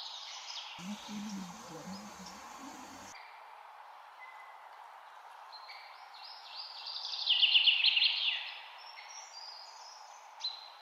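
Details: Taiwan blue magpie (Urocissa caerulea) giving a burst of rapid, harsh, high chattering notes lasting about a second, over steady hiss, with a brief human voice early on.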